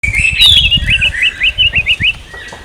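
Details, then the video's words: Orange-headed thrush in India giving a quick run of about eight short, slurred, upward-sweeping notes in an even rhythm, high-pitched and clear, over low rumbling background noise. "Orange-Headed Thrush II Bird Sound"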